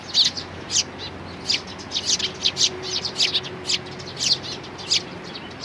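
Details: Eurasian tree sparrow chicks and parents, recorded 11 May 2019, trading bright high-pitched chirps, single and in quick clusters, roughly two to three per second, over soft background hum.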